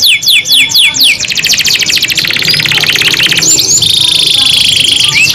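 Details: Domestic canary, a two-in-one kenari kept for song, delivering a long rolling ngerol song: fast repeated down-slurred whistles, then dense trilled rattles and sustained high ringing notes, loud and continuous throughout.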